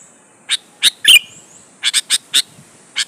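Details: Sooty-headed bulbul singing to provoke other bulbuls to answer: scattered sharp high chirps, one quick whistled phrase with a slurred ending in the middle, then a rapid series of separate clipped notes.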